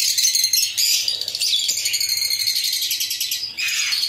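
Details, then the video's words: Colony of lovebirds, including albino, pastel ino and yellow-chested birds, producing dense, continuous high-pitched chirping and twittering from many birds at once, with no pauses. "Love Birds Sound"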